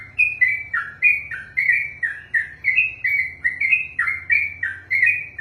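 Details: Trucukan, yellow-vented bulbul, singing extended ropelan song: clear whistled notes alternating low dips and higher flat tones, around two to three per second, steady and loud over a faint hum.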